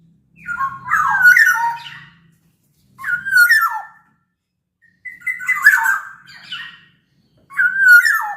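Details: Local Sumbawa black-naped oriole, a large-bodied caged singer meant to set off other orioles: four bursts of liquid whistles with rasping, falling endings, separated by clean pauses of roughly a second.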